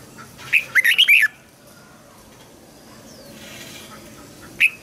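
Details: Red-whiskered bulbul delivers one fast, rising and falling phrase of about five clear whistled notes, then long quiet and a single note at the end; the song serves to train juveniles and prompt newly caught birds to sing.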